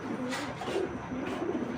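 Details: Racing pigeon giving soft, low cooing notes in short murmured phrases over a steady background hiss, with a few faint breathy bursts.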